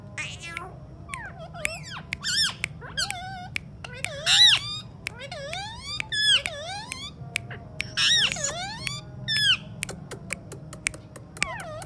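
An Alexandrine parakeet chatters in quick bursts of squeaky, swooping whistles and harsh, speech-like syllables, about one phrase every two seconds, in a quiet room with a low hum.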